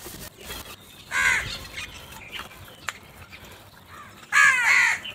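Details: Crow in the morning searching for food gives two loud harsh caws, one early and one at the end, separated by quieter distant cawing and faint clicks.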